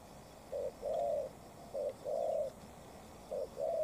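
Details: Spotted dove contest, a short-tailed decoy bird challenging a wild dove. Soft, low coos form short-long pairs, the long notes smooth and sustained, three pairs evenly spaced with quiet gaps between.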